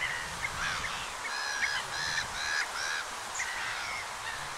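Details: Pied avocets (Recurvirostra avosetta) call in flight in autumn, Gulf of Morbihan, Brittany, 7 November 2021: repeated clear, fluty 'kluit' notes about once a second, overlapping with harsher black-headed gull cries.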